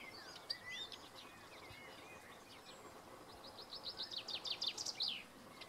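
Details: Common chaffinch song: scattered chirps from other birds, then an accelerating run of sharp, high strokes ending in a loud, descending flourish, all heard over a soft outdoor hiss.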